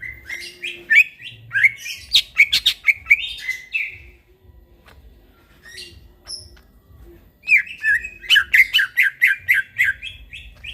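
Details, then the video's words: Greater green leafbird singing vigorously (gacor) in the middle of the night: bursts of rapid, sharp chirped notes around the upper-middle range, a quieter gap of scattered soft notes, then another fast run of repeated chirps. "burung cucak ijo bunyi tengah MALAM GACOR"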